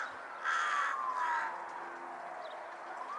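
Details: Carrion crow calling two rasping, hoarse caws in quick succession, each about half a second long, followed by quieter background noise with a faint gliding whistle.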